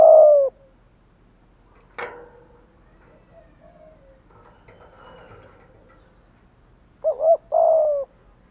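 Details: Decoy spotted dove cooing to entice wild doves: a long low coo opens, then a sharp knock and quiet muffled sounds, before a doubled note and another drawn-out coo end the clip.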